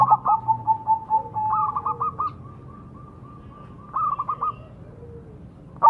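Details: Zebra dove (Majapahit perkutut) lure song: a long level whistle broken by quick stuttering coos, a later brief burst of clipped notes, and a fresh phrase starting at the very end, over quiet background.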